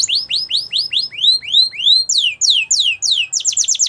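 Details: Belgian canary song for canary training: loud, clear, arched whistled notes repeated about three times a second. They slide higher, then speed into quicker falling notes at the end.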